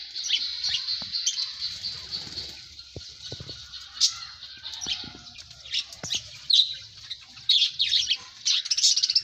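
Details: A lively mix of birds chirping, with quick high tweets and trills repeated roughly once a second, growing louder toward the end.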